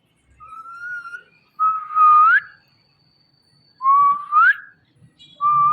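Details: Indian ringneck parakeet, a pet talking parrot, utters clear whistled speech-like syllables that hold steady and then sweep upward, three phrases with pauses between.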